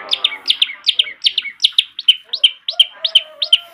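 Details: Long-tailed shrike master song, used as a lure to get young shrikes singing: rapid series of bright chirped notes, about 160 per minute, sharp upward flicks alternating with steadier whistled tones, several notes per second.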